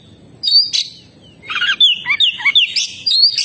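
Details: Oriental magpie-robin (kacer) in lively, nonstop 'gacor' singing: a few sharp high notes, then a quick run of clear whistled and slurred notes, some rising and some falling, with a faint steady hum underneath.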